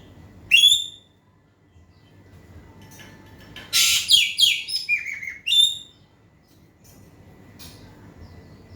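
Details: Asian pied starling in energetic song, played to prompt a reluctant bird to respond: two loud whistled notes with rich harmonics framing a dense run of harsh, grating, descending phrases, then a faint high note.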